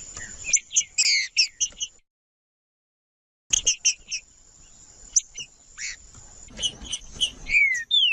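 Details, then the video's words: Green-winged saltator male song, played to provoke and warm up other males: bright whistled notes and quick chirpy phrases in bursts, a short silent gap, then more clipped notes and a final descending slurred whistle, with a steady high tone underneath. "Trinca-ferro Macheando com Trinca ferro cantando Para Esquentar Trinca ferro"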